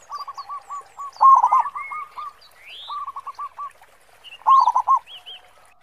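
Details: Cooing song of local zebra doves in the deep 'khong' voice style: several rhythmic phrases of rolling, stuttered low coos, two stronger bursts standing out, against sparse high whistles and chirps from other birds.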